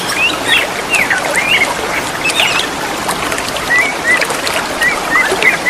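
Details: Greater green leafbirds answering each other in the wild beside running water: varied short whistled notes, slurred and rising or falling, traded back and forth over a loud steady rush of water.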